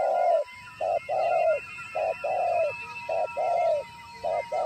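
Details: Decoy spotted dove at a trapping site, calling after spotting a wild bird: repeated low coos alternating short clipped notes and longer falling notes in a steady rhythm, faint twittering and a thin constant tone in the background.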